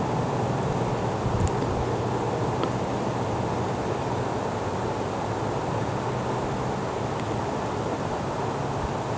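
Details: Steady roar of a vehicle or aircraft engine with wind, no animal voices, and only a few faint clicks.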